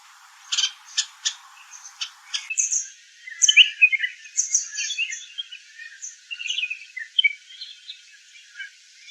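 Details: Red-whiskered bulbul: several sharp, clicky chirps spaced about half a second apart, followed by a busy, jumbled chatter of short whistled notes.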